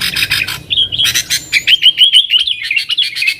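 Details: Yellow-vented bulbul in nggaruda song, a lure for wild sooty-headed bulbuls: harsh clustered chips at first, then a tidy series of bouncing, slurred whistled notes delivered quickly.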